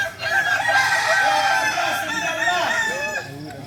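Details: Kukuak Balenggek singing chickens native to Solok during crowing performance training; a full, sustained crow lasts about three seconds with stepped, tiered syllables and ends in falling arches, with other roosters audible behind it.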